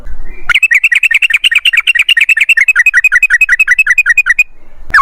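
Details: Yellow-vented bulbul (trucukan) in a long rolling ropel phrase: about thirty quick, bright, slurred notes repeated evenly for four seconds, then a short pause before another note begins.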